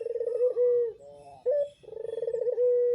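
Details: Captive parent-stock Barbary dove of the pelung type delivering its loud croon. A throbbing pulsed coo ends in a smooth sustained tone, then comes a short sharp note and another rolling coo that builds into a steady held note.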